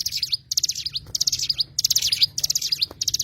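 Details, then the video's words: Cigun, the Oriental white-eye, sings bright, high chattering phrases of fast clustered notes ending in a short downward slur, each burst about half a second long with brief gaps between. "burung cigun"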